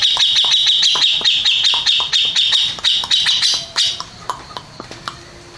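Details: Contest champion grey-cheeked bulbul delivering rapid, evenly repeated bright notes for several seconds before breaking into sparser, irregular chirps.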